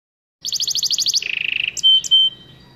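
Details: Goldfinch mule, a goldfinch crossed with a canary, singing: a fast run of bright, high repeated notes, then a lower steady buzzy trill, ending with two clear sustained whistles.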